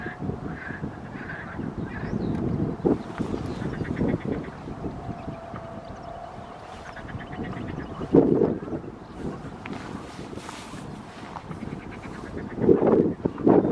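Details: Family of greater Canada geese (Branta canadensis canadensis) near Visé, Belgium, 16 May 2023: nasal honking calls in loose, irregular bursts, some rising and overlapping, over a steady low hum and background rumble.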